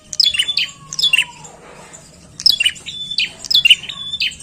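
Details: Bar-winged prinia, chatty lure song: high chirping phrases with flat whistles, a short pause, then a rapid burst of phrases; a lower falling whistle slides down early on.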